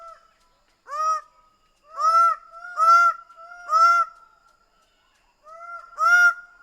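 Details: Greater bird-of-paradise repeating loud, nasal, arched honks about once a second, five calls in a row with a short pause before the last, over a faint steady tone.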